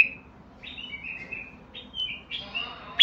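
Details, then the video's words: Basra bulbul singing: faint, drawn-out whistled phrases in short sliding strands, ending in a sudden loud bright note. "تغريد_بلبل_ بصراوي حنجرة عالمية"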